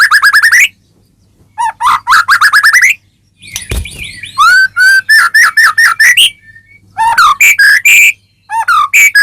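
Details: White-rumped shama song used to provoke a caged bird into singing: loud, varied whistled phrases of rising and falling notes in quick bursts, with a brief thump and a low hum beneath.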